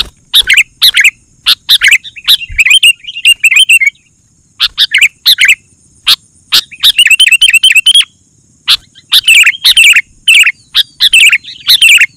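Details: Sooty-headed bulbul in lively song, used to draw wild bulbuls and tutor caged ones: bursts of harsh chirps alternating with fluty warbled phrases and a fast run of repeated notes.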